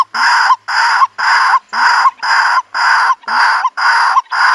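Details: White-breasted waterhen calling, recorded as a lure for trapping birds in the countryside: loud, raspy, evenly spaced croaks about twice a second, each a broad harsh burst ending in a brief rising hook.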